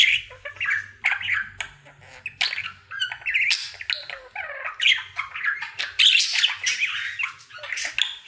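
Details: Happy caged budgerigar, male, in his everyday singing session: long rambling chatter of clicks, squeaks, buzzy trills and brief whistles, irregular and fast, with a faint low hum beneath.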